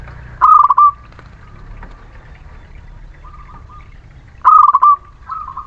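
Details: Local Muria zebra dove song as a lure for idle birds: two loud, quick rattling coo phrases four seconds apart, with fainter cooing from other doves in between.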